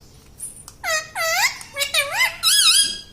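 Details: Pet ring-necked parrot indoors, talking: several short voiced words with harmonic, swooping contours rising and falling, in a quiet room.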